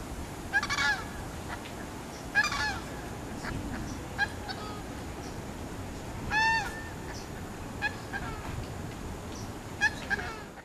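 Coscoroba swan giving loud, nasal, trumpeting honks, some doubled, spaced a few seconds apart over a steady background hiss with fainter calls between.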